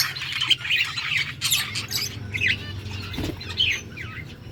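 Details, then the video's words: Yellow budgerigars chirping on August 6, 2024: short squawky chirps and warbled notes in separate bursts over a low background rumble. "Beautiful yellow budgies chirping sounds 💛 Beautiful Australian parrots talking"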